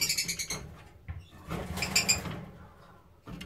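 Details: Black-cheeked lovebirds give a fast run of shrill, squeaky chirps, then a quieter stretch before two or three more sharp, high chirps, over a low background rumble.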